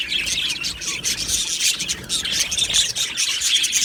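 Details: Budgerigar flock in an aviary colony, a dense continuous wash of high chattering, warbling and chirping from many birds at once.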